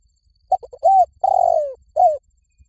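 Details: Spotted dove call, used as a decoy lure to bring wild doves in fast: three quick clipped low notes, a rounded coo, a long drawn-out coo sliding downward, then one final short coo, clean against a quiet background.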